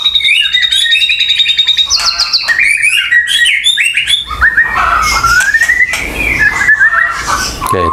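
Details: White-rumped shama, already worked up after being provoked with mongoose and other sounds; a loud, fast, varied song of whistled notes, rising sweeps and sharp chirps, with dense trills, over background clatter.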